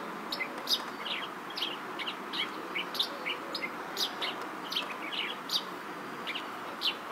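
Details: At a safari park in Ghotki, Sindh, Pakistan, a chestnut-shouldered petronia gives brief high chirps and quick downslurred notes in a loose irregular series, with a constant hiss behind.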